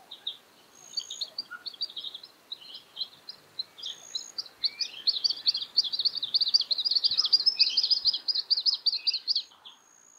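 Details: A juvenile Australasian grebe at Littlehampton, South Australia, on 13 October 2020 begs from a busy adult catching yabbies, with high, thin chittering peeps in rapid bursts swelling into a near-continuous squeaky stream toward the end.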